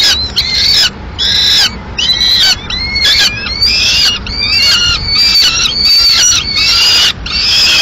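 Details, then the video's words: Peregrine falcon nest in Madrid at mid-morning, the female bringing in pigeon leftovers; loud series of harsh, shrill wailing calls in rapid, uneven bursts, several voices seemingly overlapping near the end. "Halcón peregrino"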